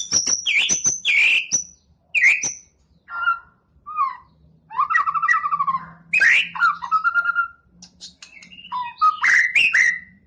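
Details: Champion competition white-rumped shama singing a varied medley: loud whistled phrases mixed with sharp clicks and buzzy notes, jumping between low and high pitches, with brief pauses between bursts and a faint low hum beneath.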